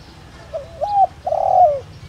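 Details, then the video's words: Decoy spotted dove with the pure 'đồng rặc' voice, used to lure wild doves. One mellow phrase: a soft wavering coo rising into a held note, then a longer rolled coo that slides down at the end. "Cu gáy Gáy Gọi giọng ĐỒNG RẶC kích bổi nhanh nổi/kích mồi tập bổi hiệu quả/chim cu gáy mồi"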